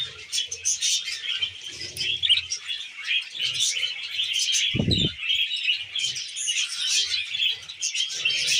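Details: Budgies munching wheat germ give continuous, overlapping chirps and squeaky warbling, with scattered soft taps and one louder low thud just before five seconds.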